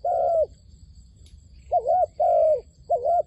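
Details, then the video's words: A decoy dove lures wild doves for a trap with a long steady coo, a pause, then wavering and level coos in alternation. A faint click and a steady thin hum are also heard. "ឱ្យតែជួបលលកព្រៃ ធ្នាក់ហៅបរសឹងដាច់ខ្យល់ | Amazing Dove Trap"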